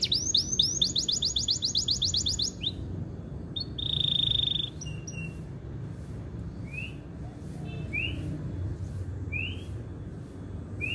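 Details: Canary song played long to stimulate females to breed: a fast run of repeated high sweeping notes, then a steady whistled tone, then scattered rising chirps over low background hum.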